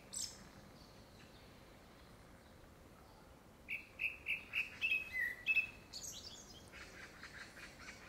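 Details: Courtship song of a grey-backed thrush, likely ahead of a second breeding: after three seconds of near quiet, a run of rapid, slightly buzzy whistled notes, followed by fainter high chirps and soft rustling.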